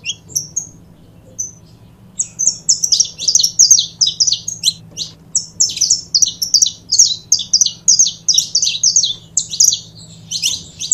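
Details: After a few scattered opening notes, a pair of saffron finches (canário-da-terra) builds into continuous bright, twittering high chirps lasting over eight seconds, with a soft mechanical hum underneath.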